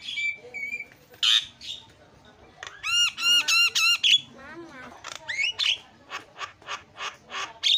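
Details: Javan myna calling as a lure for other mynas: mixed whistles, a run of fast ringing bent notes, squeaky slurred phrases and harsh squawks, ending in evenly spaced rasping notes.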